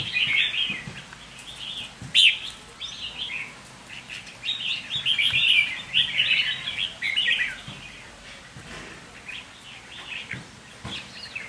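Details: Captive red-whiskered bulbul used as a lure bird, delivering bright, fast, warbled phrases of sharp chirps in bursts, fading into softer scattered notes toward the end.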